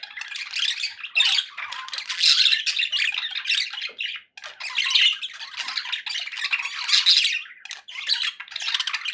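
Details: Happy pet budgies chattering in a continuous, buzzy warble of rapid scratchy notes and chirps, swelling in bursts with a short pause near the middle.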